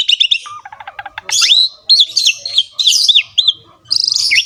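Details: Asian pied starling in full, energetic song with a rich filled-in repertoire: mixed chips, a low rattled trill, then loud looping whistled phrases swooping up and down, and a closing burst of buzzy high notes.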